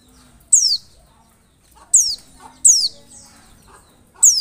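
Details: Oriental white-eye gives thin, very high, down-slurred notes, four in about four seconds, with faint softer twittering between; a lure call said to make other white-eyes answer and open their beaks.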